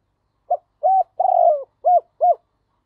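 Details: Spotted dove used as a decoy to draw in other doves, recorded in 2023, gives a mellow coo phrase: two short notes, a long rolling throaty coo, then two brief clipped notes on a silent background.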